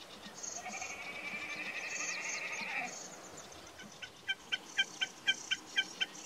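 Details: Common snipe giving a steady run of clipped, ticking notes, about two per second, in the second half. This follows a sustained whistled tone from another bird, with high chatter in the background.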